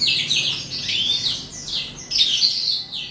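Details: Eastern calandra lark singing as the day ends: continuous, dense warble of high chattering and twittering notes, with bright slurred phrases and brief pauses, a fresh burst starting near two seconds, over a quiet background.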